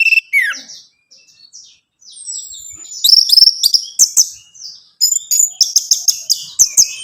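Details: Song of the orange-headed thrush, or Anis Merah, played to encourage a captive bird to sing: a few descending whistles, a long sliding thin note, then fast repeated sharp chirping bursts.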